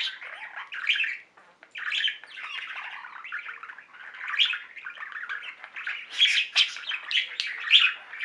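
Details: Budgies from a singing pet flock: soft continuous warbling mutter with scattered chirps, a brief gap early on, then louder sharp tweets building near the end.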